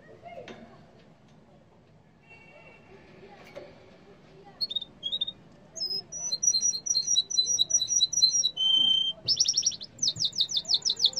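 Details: {'caption': 'Yellow canary singing indoors: after a few quiet seconds of faint background murmur, bright high whistled notes start, then rapid repeated chirps, a steady whistle and fast buzzy trills.'}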